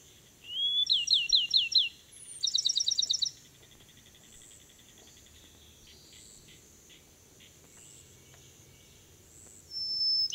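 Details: A Bachman's sparrow singing in Francis Marion National Forest, Charleston County, South Carolina, 25 June 2016: a clear rising whistle breaking into a rapid trill, then a higher, faster trilled phrase, a final whistle, over faint insect hum.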